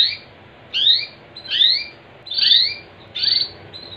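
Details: Canary singing to prompt other canaries into song: regular bursts of bright upslurred whistles, each paired with a lower rising slide, about one burst every three quarters of a second.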